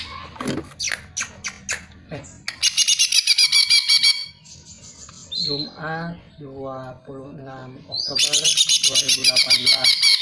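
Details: Greater green leafbird song as a lure for other birds: sharp chips, a long fast buzzy trill, a pause with low voice-like harmonic sounds, then another rapid high trill.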